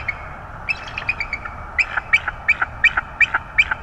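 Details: Wild bald eagle pair at their nest in northeast Florida, January 2022, with two young chicks: a fast, fairly regular series of about a dozen high, clipped piping notes, broken briefly before picking up again.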